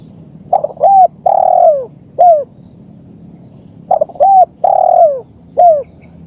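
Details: Spotted dove recorded for training birds and luring wild ones calls in two matching phrases, each stuttering notes, a short coo, a long descending coo and a clipped end note, with a quiet pause between.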